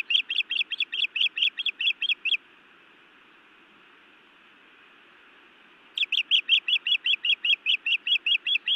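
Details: Scolding by a female osprey at her nest in Montana toward her mate, 31 May 2017, evening nest-cam recording: a quick run of sharp piping chirps, a silent gap of several seconds, then another equally fast run.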